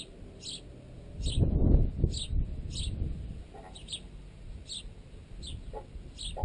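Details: Sparrows feeding on bread clamped in a tent guy line, juveniles among them. Quick, high chirps come in a steady series over a rumbling low background noise, with a few knocks from pecking.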